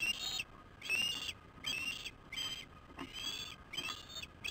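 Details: Osprey calling during an evening fish delivery at a nest camera, 15 August 2015, 19:17: high, thin, whistled chirps in repeated bursts roughly every 0.7 seconds, each slightly rising, steady and insistent.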